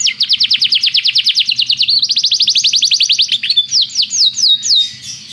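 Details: Canary teaching song for training: fast, even trills of bright downsweeping notes in two rolling runs, then slower, separate swooping whistles, with a faint low background hum.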